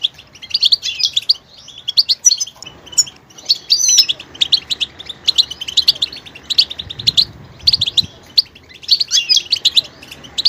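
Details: Goldfinch singing a rapid, diverse string of high twittering notes, buzzy trills and chirps, with faint low murmuring noise in the background.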